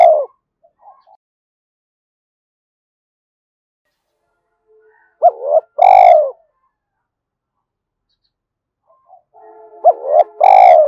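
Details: Spotted dove repeating urgent 'gáy thúc' calls to bring wild doves in. Widely spaced phrases, each a short hooked note then a longer rich coo, with long silences between and a faint steady tone under the last phrase.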